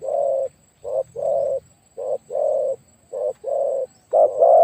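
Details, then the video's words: Spotted dove serving as a decoy, described as very big-voiced: a run of low, hoarse coos alternating short and long notes, with a louder burst of cooing at the end. "ต่อนกเขาใหญ่เจ้าสุดสาครแต้มที่ 49เฉลยเสียงใหญ่มาก"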